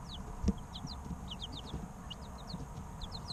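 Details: Three-week-old chicken chicks chirping together indoors: a flock of high, thin, downslurred peeps, each very short and overlapping irregularly, with a soft knock near the start and a low background hum.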